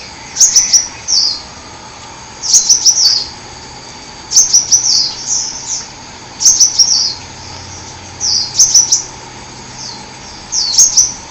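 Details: Hummingbird from the forest repeating a short, very high phrase of rapid ticks followed by a slurred chirp, roughly every two seconds, steady and regular, over faint continuous hiss.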